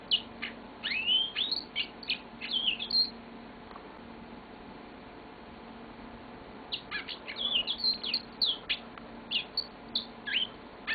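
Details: Caged yellow-fronted canary indoors giving two bursts of high, rapid chirping song with twittered notes and slurred whistles, separated by a quiet gap of about four seconds.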